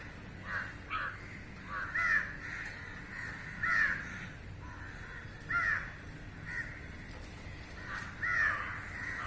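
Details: Crows gathered in a line on a roof and feeding on insects in flight; loud, harsh caws ring out about every two seconds over fainter caws from the rest of the flock.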